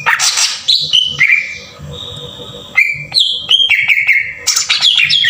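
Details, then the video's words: Green leafbird delivering a rough-shot (tembakan kasar) lure meant to trigger singing. A noisy, buzzy burst gives way to sliding whistles and a quiet sustained tone. Then comes a rapid run of sharp, choppy notes, ending in another harsh burst. "PANCINGAN PENDONGKRAK EMOSI CUCAK IJO TEMBAKAN KASAR"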